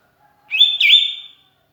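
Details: Sooty-headed bulbul used as a lure, calling to companions: one clear, sustained whistled note lasting nearly a second, bending slightly downward then up again midway.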